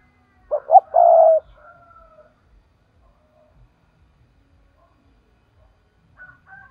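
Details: Lure spotted dove for trapping, giving the 'thúc' call: two short coos then one long, steady coo, followed by silence and a faint high whistle near the end.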